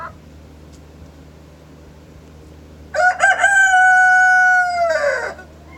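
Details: Morning rooster crow: a few quiet seconds, then a loud cock-a-doodle-doo with stuttered opening notes and a long, level, harmonic-rich held note that falls off at the end.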